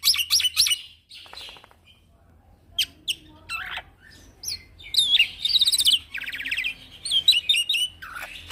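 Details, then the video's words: Young male Black-winged myna in rapid 'gacor ngeroll' song for training other birds: harsh chatters, scattered sharp notes, a buzzing rattle and varied high whistles, with short silent gaps between phrases. "Jalak Pito Jantan Muda Gacor Ngeroll"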